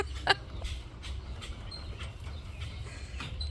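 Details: A grackle perched atop a falconry hawk's cage, joining Blue Jays harassing the hawk after it caught a jay, gives one sharp, dry chuck, then several fainter, scattered "chck" notes over a steady low rumble of wind or distant traffic.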